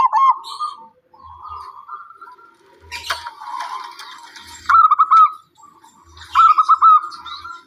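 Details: Zebra dove, believed to bring luck and peace, giving short bursts of quick rolling coos separated by quieter stretches of background bird chatter and a brief rustle.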